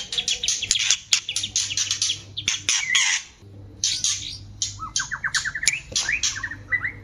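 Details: White-rumped shama mating in a cage, a lure to bring birds into breeding condition: rapid harsh chattering notes, a pause, then a rising series of short whistled notes climbing in steps, low hum throughout.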